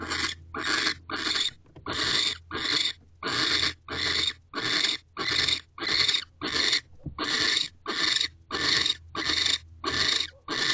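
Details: Owl pair mating inside nest box C on the evening of 15 December 2023 at 7:47 pm: harsh, hissing broadband screeches repeated about every half second to second, roughly sixteen bursts, with a low steady hum beneath.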